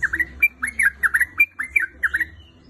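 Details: Female sooty-headed bulbul calling a male: a lively string of short bubbly notes dipping and rising, repeated rapidly several times a second.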